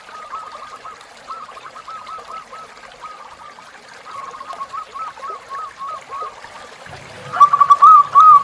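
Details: Zebra dove tutor song for captive birds, river sound: several soft, distant strings of rhythmic coos, then one loud close phrase of quick notes and drawn coos at the end.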